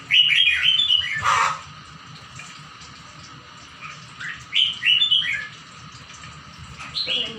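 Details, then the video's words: Bird singing: short bright warbled phrases around mid-high pitch in bursts at the start, near four and a half seconds and at the end, with a brief broadband noise burst early and quiet steady background hum. "Chim hót"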